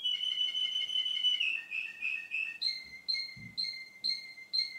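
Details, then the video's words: Male Russian canary's song two months later: a long wavering whistle slides downward, then short clear whistled pulses repeat about twice per second at two pitches. "RUSSIAN CANARY-РУССКАЯ КАНАРЕЙКА"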